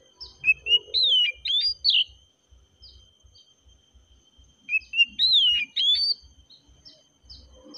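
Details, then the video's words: Oriental magpie-robin singing in a relaxed manner: two bursts of clear, varied whistled notes with quick rising and falling slurs, separated by about three seconds of quiet, with faint low rumbling underneath. "KACER KICAUAN SANTAI NYA BIKIN HATI JADI TENANG"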